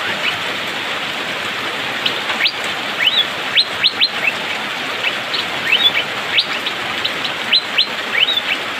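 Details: Asian fairy-bluebird, rainy season, singing fast and dense: repeated sharp whistled upslurs in quick groups, a few longer arched notes, continuing throughout over constant rain hiss.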